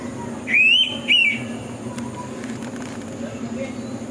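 Indian pitta giving its loud two-note whistle, a clear rising first note and a shorter slurred second, over a low steady background hum.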